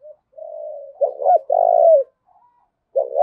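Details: Spotted dove decoy bird cooing to urge fighting: low, soft hooting coos, a long level coo, then a broken two-note phrase and another sustained coo, with a short pause before a final coo starts.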